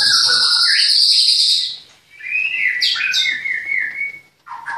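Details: White-rumped shama at a Klaten breeding farm giving a loud high whistle, a pause, then a series of quick sharp slurred notes and a level whistle, ending with a brief burst.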